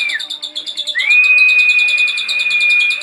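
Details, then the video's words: Javan pied starling song, a full, powerful singing bird: a long, steady, pure whistle held for two seconds after a short falling note, over a fast, even ticking chatter from another bird. "Kicauan jalak riorio Full Power"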